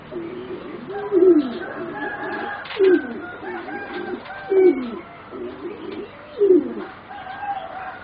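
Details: Young singing zebra dove from a competition-bred line, one of four birds about 3.5 to 4 months old; a clear rounded coo with a bright accented peak repeats about every 1.7 seconds, four times, over soft background murmur.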